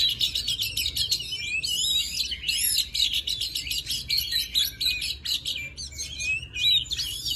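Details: Oriental magpie-robin in forest voice, song meant for training young birds: continuous rich warbling of looping whistles, quick trills and sharp chips, delivered without pause over a low background hum.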